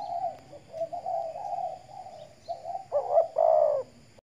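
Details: Morning-sunned caged decoy spotted dove, Riau Islands, Indonesia: a run of soft, low wavering coos builds into one loud phrase near the end, two quick rising notes and a long throaty coo.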